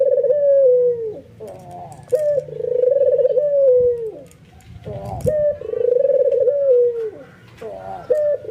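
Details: Albino white ringneck dove cooing excitedly while nodding, drawing other doves into cooing: a short sharp note, then a long rolling, pulsing coo that slides down at the end, repeated about every three seconds indoors.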